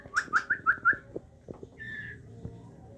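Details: Aceh white-rumped shama, bred in captivity, feeding its chicks: five short sharp chirps in quick succession, then a soft drawn-out whistled note.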